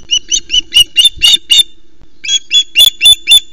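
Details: Osprey calling loudly at a Loch Arkaig nest in Scotland while a fish is delivered; shrill, piercing chirps repeated about four per second, a short pause, then another fast run of harsh squealing notes.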